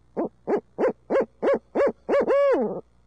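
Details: Urbanized barred owls in Midtown Tulsa during a long hooting session: a run of seven rising-falling hoots about a third of a second apart, ending in a longer drawn-out arched hoot, with no other sounds.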